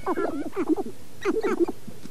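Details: Close sharp-tailed grouse at Namekagon Barrens, Wisconsin, in April: two quick bursts of throaty, chattering cackles, each a cluster of short hoarse notes.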